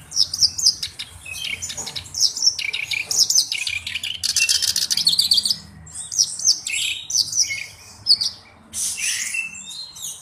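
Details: Black-browed reed warbler singing as a tutor bird: choppy phrases of very high, buzzy rattles and sharp squeaky notes, broken by short gaps.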